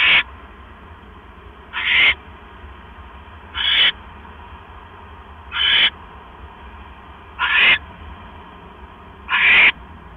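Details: Owl delivering a mouse to the nest, 9:40 PM, 12 October 2015. Six harsh, hissing screeches come about every two seconds in a fairly steady series, with a constant low hum behind.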